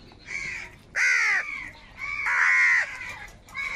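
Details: Crows calling loudly while fighting for food, with harsh, nasal caws arching slightly downward, four drawn-out calls spaced about a second apart.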